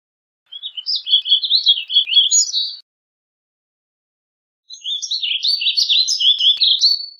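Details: Two long, rambling warbled phrases of the warbling vireo, quick up-and-down notes run together for about two seconds each, separated by a pause; no other sounds.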